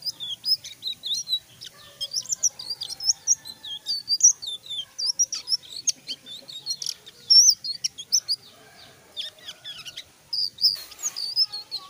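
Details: Extended full-voiced singing from a selendang biru: a long, busy stream of high, twisting whistles and crisp chirps, varied and rapid, with a brief noisy burst near the end.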